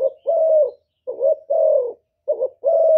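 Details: Cooing decoy spotted dove, Cà Mau, Vietnam, used to lure wild doves: soft, low, wavering short notes each followed by a sustained, level then gently falling coo, three phrases with brief gaps, nothing else heard.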